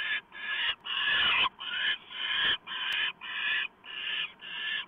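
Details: Owl delivering a small mouse to the nest at 7:12 PM on November 1, 2015. Loud, rasping hisses of uneven length follow one another about twice per second, and a brief click is heard in the middle.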